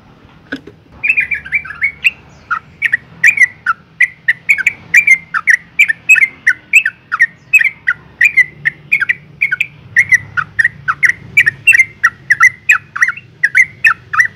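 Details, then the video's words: A female yellow-vented bulbul calls to provoke males into singing. After a brief low knock, she gives a long, rapid, even sequence of bright, down-slurred chirps, roughly three per second, over faint low rumble. "suara panggilan burung trucuk betina gacor ngalas tercepat mancing emosi trucukan jantan agar bunyi"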